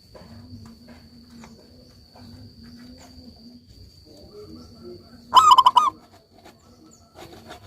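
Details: Local-type zebra dove singing actively: a single short cooing phrase of a hoot and rapid rolling notes near the end, over a low steady hum and faint background rustling.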